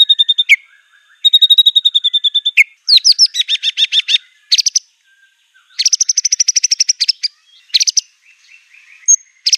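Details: White-rumped shama in full, fierce song. Steady high trills give way to loud stuttering buzzy bursts and bright rapid chatter, with short gaps between phrases.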